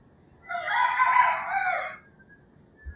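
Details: Rooster crowing in the early morning in rural Philippines: one loud, harsh, drawn-out crow of about one and a half seconds with a rich harmonic band, then quiet with a faint distant bird note.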